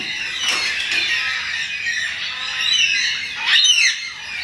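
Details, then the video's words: Endangered Carnaby's black-cockatoos calling in a suburban backyard in Perth, Western Australia. Harsh, scratchy squawks form a steady chorus, ending with a louder, sharply falling screech. "Carnaby's Black-Cockatoos In Suburban Perth backyard"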